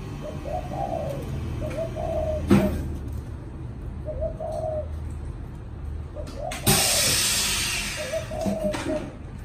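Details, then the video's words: Spotted dove kept in a cage, cooing "thổ chạm đồng" style: repeated gentle hollow coo phrases throughout, broken by a sharp knock and then a burst of loud rushing noise. "Cu thổ chạm đồng"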